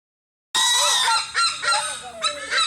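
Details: A bird at the Philippine Eagle Center in Davao City gives a harsh, laughing call: loud, buzzy, rasping notes rich in overtones that start suddenly, then rise and fall in uneven bursts.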